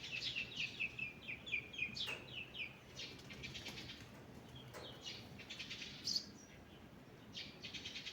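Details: Birds in a morning forest: a quick series of sharp descending chirps opens, followed by scattered quieter tweets and a lone piercing high note, over soft background hiss.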